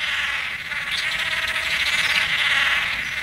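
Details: Blue manakin mating ritual in forest: a dense, rapid, trilled buzzing with a nasal tone. It pulses quickly and steadily throughout, loud and unbroken.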